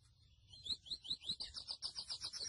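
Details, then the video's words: Grey seedeater, called mochuelo locally, singing a series of high rising slurred whistles that speed up into a rapid run of chirped notes. "MOCHUELO AVE Y SU CANTO HERMOSO (SPOROPHILA INTERMEDIA)"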